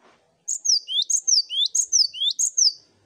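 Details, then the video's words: Lively gacor singing from a multi-bird cinereous tit master track used to get birds singing: five crisp repetitions of a high falling whistle joined to a short upswept note, steady and ringing, with a clean quiet background. "Masteran Gelatik Batu Ombyokan Gacor Bikin Gampang Bunyi"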